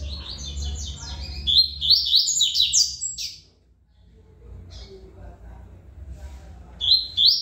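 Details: Double-collared seedeater, a good singer of the Tui Tui song style: a rapid run of high, buzzy, stepped notes for about three seconds, then a pause with low murmur, and a short high phrase resuming near the end.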